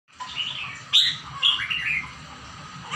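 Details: A bird singing a quick run of high chirped and warbled notes, with a sharp loud note near the one-second mark and another at one and a half seconds, then softer twittering over a faint low rumble.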